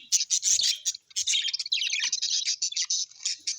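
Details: Happy pet budgerigars keep up a fast, busy twittering of high, clicky and buzzy chirps, pausing once briefly before the chatter resumes.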